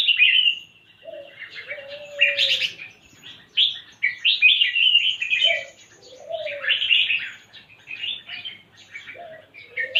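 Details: Busy red-whiskered bulbul song, a run of quick warbled and chirped phrases, mixed with soft low coos that rise and glide down, heard about four times.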